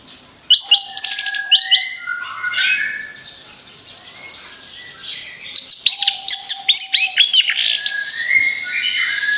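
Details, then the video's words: Orange-headed thrush song in rapid volleys, used to lure other birds: a loud jittery burst of high trills, a quieter middle stretch of soft warbling, then a renewed torrent of sharp whistles and chattering notes. "TEMBAKAN BERUNTUN SUARA ANIS KEMBANG BUAT PANCINGAN MAUT"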